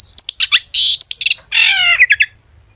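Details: Long-tailed shrike full mimicry song meant to draw replies from other shrikes: a tumbling run of harsh chattering notes and a long buzzy rasping phrase.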